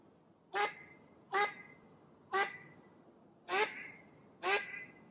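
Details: Mallard duck giving five harsh, nasal quacks spaced roughly one second apart, each a short rasping burst with a slight downward trail, against a quiet background.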